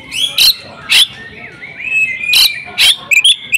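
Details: Female oriental magpie-robin, a house-kept bird, singing persistently with varied isian phrases: sharp clipped high notes every half second or so alternate with smooth whistled glides rising and falling, ending in quick chips.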